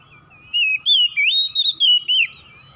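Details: Oriental magpie-robin, kacer, delivering a string of sweet whistled notes that slide up and down, linked into one flowing phrase lasting under two seconds, with quiet background.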